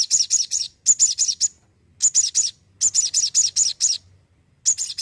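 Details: Crimson sunbird in energetic song: high, thin, sharply bent notes delivered in rapid bursts of four to six, each burst under a second long and separated by brief silences, with no other clear sounds.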